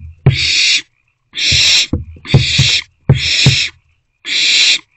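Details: Owlet trio in a nest box, 13 April 2024: five loud, drawn-out breathy screeches spaced about a second apart, with dull knocks and rustling between them.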